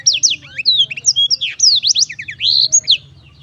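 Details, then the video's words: Black-throated canary in lively song, a quick series of bright whistled slurs and sharp falling notes over a steady low hum. "kicau merdu siBLACKTHROAT selalu menemani dengan ceria"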